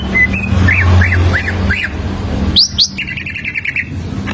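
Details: Greater green leafbird standard song, played to lure and teach young leafbirds: a series of arched whistled notes repeated about twice a second, then sharp high upslurs and a quick stuttering trill, with faint low traffic hum.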